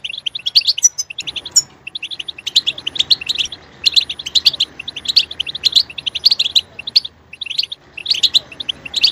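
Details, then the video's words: European goldfinch played to stimulate singing: bright twittering bursts of short high chirps and trills in phrases of one to two seconds, separated by brief pauses. "Stimulating a goldfinch clip to make it chirp in a loud and wonderful voice"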